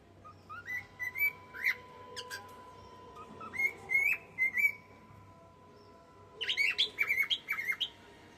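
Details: Female cockatiel singing for a male: short whistled phrases with sliding, slightly rising notes, then a quick burst of chirpy warbled notes near the end, over a steady faint background hum and a few clicks.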